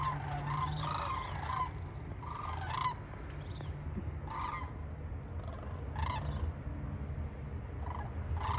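Sandhill cranes in a passing flock give loud, rolling, trumpeting calls in overlapping bursts every second or so, over a steady low rumble of wind or distant traffic.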